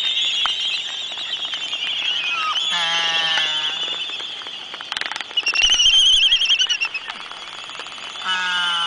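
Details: Laysan albatrosses in a mating dance, likely younger sub-adults practising late in the season, give low groaning, moo-like trumpeting calls and bursts of rapid bill-clacking over a steady high hiss.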